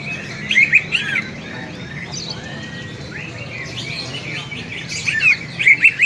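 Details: Greater green leafbird giving a fighting call meant to rouse other leafbirds' fighting spirit: scattered sharp chirps and short warbled phrases high in pitch, clustered near the start and end, over a steady low background hum.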